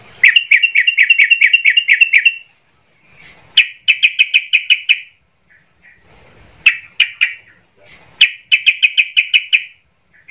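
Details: Sooty-headed bulbul in agitated, full-voiced song meant to provoke other bulbuls: bursts of rapid, evenly repeated chattering notes, each run lasting one to two seconds, separated by brief pauses.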